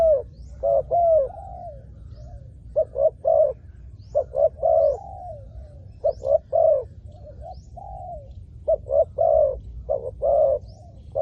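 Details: Spotted dove calling to lure wild doves: a long run of mellow coo phrases, pairs of quick notes leading into drawn-out falling coos, repeated steadily with only faint ambient hum beneath.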